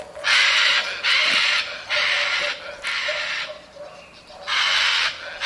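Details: Harsh screams of a scarlet macaw (Ara macao), five rasping broad squawks roughly once a second over a faint steady hum, described as its flight call.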